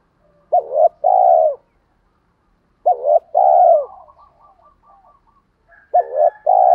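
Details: Lure cooing of a spotted dove meant to stir wild doves to answer: three phrases of a short wobbling note plus a drawn-out mellow coo, and a soft series of quick faint notes in the pause.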